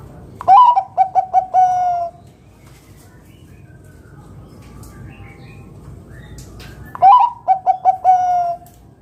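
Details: Loud local zebra dove cooing, meant to coax other doves to sing: two phrases about six seconds apart, each a quick stutter of clipped notes ending in a sustained coo, with faint rustling between.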